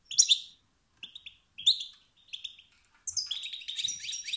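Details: Male European goldfinch producing provocative calls that push other males to sing: a few separate tinkling chirps, then a dense run of buzzy twittering at the end.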